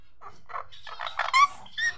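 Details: {'caption': 'Indian ringneck parakeet kept as a pet, talking in a quick run of grainy, voice-like syllables ending in a couple of higher, clearer notes, against a faint low hum.'}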